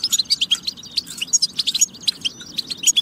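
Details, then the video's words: European goldfinch song meant to stimulate other goldfinches to sing: a dense, rapid stream of bright twittering and tinkling notes with short buzzy trills, continuous throughout with no pauses. "بتبة فتاكة لتحفيز الحسون على التغريد والجهوزية"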